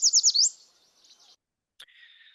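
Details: Yellow Warbler singing its 'sweet, sweet, sweet, I'm so sweet' song: four bright, high, slurred sweet notes in quick succession, then a softer, quicker jumble; a click and a faint thin tone follow.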